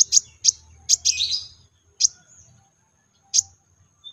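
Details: Piercing single chirps of a brown-throated sunbird, a 'tembakan' lure for other sunbirds, spaced irregularly with a short buzzy twitter after the third note and long quiet gaps later.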